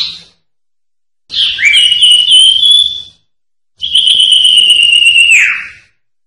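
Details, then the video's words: Common Iora (cipoh) performing sertu song for tutoring songbirds: a brief note, then two long, rich whistles of about two seconds each, the second sliding downward as it ends. "Masteran Suara Cipoh Sertu"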